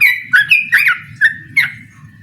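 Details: Yellow-vented bulbul in energetic 'ropel' style, challenging a rival to a singing duel: five short bubbly, liquid notes with slurred ends, spaced unevenly over two seconds, with a low hum beneath.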